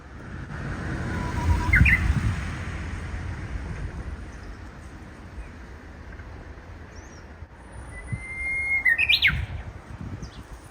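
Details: Japanese bush warbler giving an unusual song, possibly a young bird still practising; a short rising whistle near the start, then a longer steady whistle ending in a sharp upward flourish, over low rumbling background noise.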